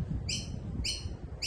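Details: A Noisy Miner, an aggressive native Australian honeyeater, in the background gives short, bright, ringing notes about every half second over a low rumble; speaker is unsure whether it is an adult or its young begging for food.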